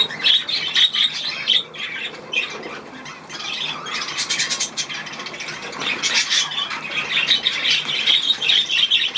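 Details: Budgerigars that want to bathe, giving a dense, continuous chatter of warbling and squawky high notes from several birds, with scratchy rustling throughout.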